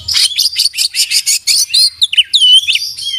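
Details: Oriental magpie-robin in full song with imitated fill-ins: about ten rapid, evenly spaced buzzy chips, followed by sweet curving whistles and a smooth upslurred note.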